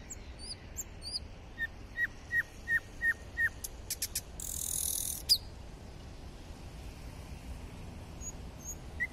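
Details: Nightingale singing: a run of about eight short, evenly repeated notes that drop sharply at the end, then a dry buzzing burst and a few thin high whistles, over a quiet background rumble.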